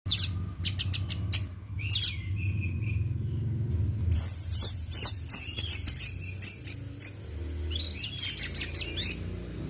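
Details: Orange-headed thrush in 'teler' singing style, used as a tutor and bait recording: high, varied chirps and sweeping whistles in quick bursts, intensifying in the second half into fast repeated trills, over a faint low hum.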